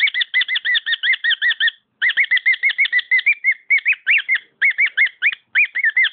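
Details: A pet cockatiel whistles fast repeated notes, stops briefly, then continues with slower, more widely spaced upslurred whistles.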